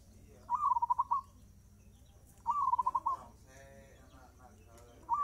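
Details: Zebra dove singing fast: three rippling phrases about two and a half seconds apart, each starting with a rising note and breaking into quick pulsed coos, while another bird gives a faint harmonic call in between.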